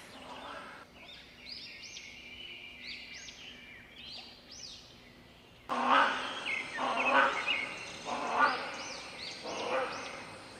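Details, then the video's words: Caged great hornbill giving loud, harsh, raspy barks about every second and a half, preceded by thin rising whistles from smaller birds over steady background noise. "Great hornbill birds sound and Call"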